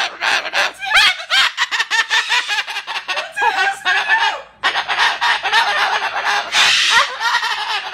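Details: Strange noises from a bird that disapproves of a cardboard house: long run of raspy chattering squawks mixed with curved, warbling whistled tones, briefly dipping quiet midway before resuming loudly.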